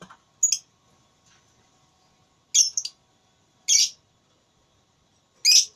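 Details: Lovebird in a singing contest uttering isolated harsh high squeaky chirps, a few spaced more than a second apart, over silence.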